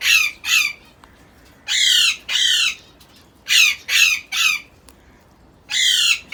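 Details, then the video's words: Six-month-old African Congo grey parrot chick, tame and self-feeding, kept in Karachi, Pakistan: loud harsh squawks in short bursts, some paired, repeated irregularly about every second or two, each a broad raspy burst with falling bands. "Grey Parrot Chick"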